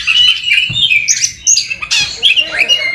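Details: Short burst from an Oriental magpie-robin (kacer) singing ngerol and nembak style: quick slurred whistles, downward sweeps and scratchy chatter packed closely together.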